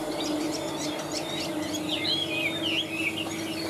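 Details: Large caged Chinese hwamei singing high. Scattered short high chirps open the recording, then a flowing series of clear, wavering whistles follows, with background hum throughout.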